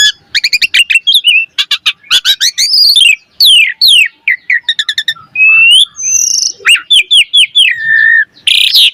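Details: Asian pied starling in lively, varied full song used to prompt other starlings to sing: rapid bursts of sharp chirps and clicks, then slurred whistles, descending and rising notes, packed with quick varied phrases with brief gaps between them.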